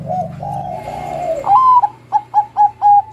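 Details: Singing zebra dove of the Bangkok kind, kept to draw song from young birds: long wavering coos, then a bright upslurred note and four evenly spaced, clipped coos.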